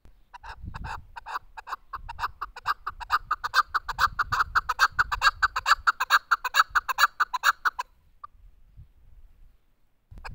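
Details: Chukar partridge in a long, rapid rally of loud chuk notes that build in volume, then cut off, with low rumbling background noise beneath.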